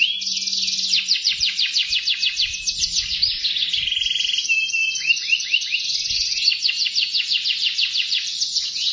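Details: Canary singing steadily, a long run of fast buzzy trills with rapid rhythmic pulses and brief whistled inflections. Faint low thumps are heard in the background.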